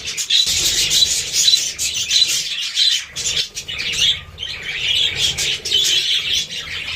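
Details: Many budgerigars twittering together, a continuous high, buzzy warble of overlapping chirps with short pauses and swelling loudness.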